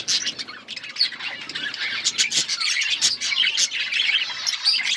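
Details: Many budgies chattering in an outdoor colony, a steady mass of high chirps, squeaks and warbles from numerous birds, with occasional sharper squawks rising above the flock.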